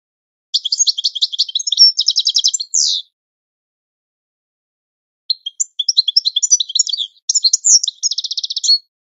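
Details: Training song of a European goldfinch: a fast run of tinkling, chattering notes ending in a buzzy slur, a long silence, then a second lively twittering phrase with rapid trills.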